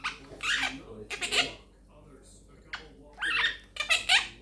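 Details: A pet female Quaker (monk) parakeet chatters in four or five harsh, raspy bursts of mimicked speech, each under half a second, with brief pauses, in a small room; her phrases include "peekaboo", "making bacon pancakes", "give me a kiss", "thank you baby".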